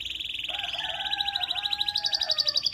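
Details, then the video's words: Canary song used as a stimulant to prompt other canaries into singing: a fast rolling trill of rapid repeated notes, with a lower steady tone running beneath it and brightening toward the end. "UNSTOPPABLE Canary ❗STIMULANT❗ Fast RESPONSE In 30 Minutes ❗"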